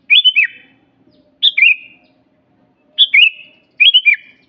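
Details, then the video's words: Sooty-headed bulbul song for training captive birds: four lively whistled phrases, some stuttered in three quick notes, each ending in a lower trailing tone, with a quiet background. "suara burung kutilang GACOR asli paling banyak dicari buat masteran"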